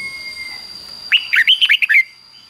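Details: Red-whiskered Bulbul giving one fast 'double' style phrase, fik-jik-fok, meant for young birds to learn: seven bright, bouncing whistled notes packed into about one second, with a thin constant high tone behind.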